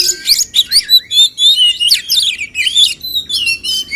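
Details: Male oriental magpie-robins in a singing contest meant to spur fuller song: rich whistled phrases with sweeping slurred notes and rapid chattering bursts, continuous and varied, loud and clear throughout.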